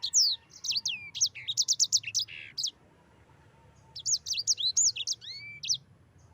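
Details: Yellow-fronted canary, recorded as a master for training birds: a fast string of high staccato chirps and a buzzy note, a pause, then another phrase ending in a rising whistle.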